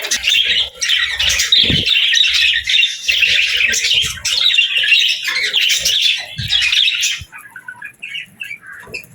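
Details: Budgerigars chirping happily: a lively run of fast, high warbled chirps for about seven seconds, then the chorus thins to scattered short squeaks.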